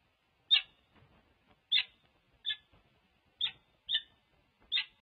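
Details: Courting wild peregrines, a female and her new partner, at a Berkeley nest ledge, 14 February 2024; six sharp, squeaky chip notes at uneven intervals, some paired, over quiet background.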